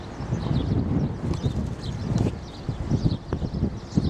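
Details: Storks at Bordj Bou Arreridj, Algeria, recorded in March and June 2009: a steady run of dry, rapid knocking pulses fills the clip, with faint high chirps of small birds and low rumbling background noise.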